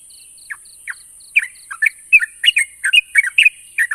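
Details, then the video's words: Yellow-vented bulbul song played to prompt silent birds to answer: short bubbly chirped phrases, rising and falling, growing denser after a sparse start, with faint repeated high ticking notes and a steady high hiss behind. "Burung trucuk macet bunyi dan mandek pasti nyaut dengar suara burung trucuk ini"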